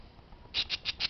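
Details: Parakeets calling with four short, shrill squawks in quick succession, each note high-pitched and harsh, spaced a fraction of a second apart after a brief quiet start.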